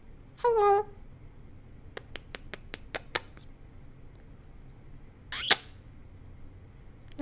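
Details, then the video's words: Pet parrot making soft whispery sounds indoors: a short harmonic squawk, a run of about six sharp clicks, then a breathy rasping burst near the end, over quiet room hiss. "Bird Whispers Into Microphone for 5 Minutes Straight"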